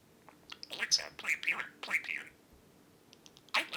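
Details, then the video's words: Pet male budgerigar perched on its owner's shoulder, talking in a rapid, chattering run of high scratchy syllables with whistled notes, fading to a pause, then one loud harsh burst at the end; indoors. "the budgie talks to me on my shoulder"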